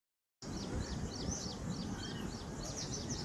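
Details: Birds chirping, a chorus of short high chirps and quick downslurred notes overlapping steadily, set against strong low rumbling background noise.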